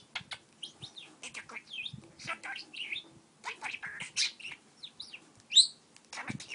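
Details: Household parakeet chattering and talking as it flirts with a stylus, a busy run of chirps, trills and rising whistles broken by brief pauses and one piercing peep.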